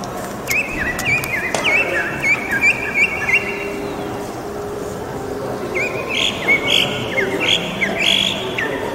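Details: Northern mockingbird singing in Bogotá and its surroundings during the quarantine, an urban visitor: a run of short clear whistled notes repeated about twice a second, then louder, buzzier varied phrases, with a low traffic hum underneath.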